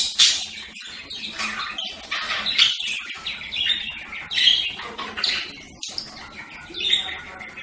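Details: Budgerigar chattering steadily, a warbling stream of scratchy, buzzy and squeaky notes rising and falling, with brief gaps between bursts.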